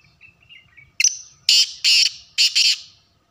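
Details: Black francolin (kala teetar) calling: after soft faint chirps, a sharp note opens a loud harsh phrase of grating bursts, the last one doubled, all in quiet surroundings.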